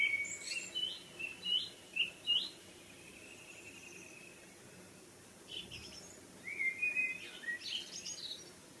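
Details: Evening bird sounds: short high chirps repeated in a loose sequence, a pause with a faint drawn-out whistle, then another cluster of quick twittering notes.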